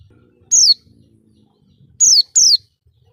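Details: Oriental white-eye lure calls: three high, thin downslurred tseee notes, one alone and then a close pair about a second and a half later, over a faint low background hum.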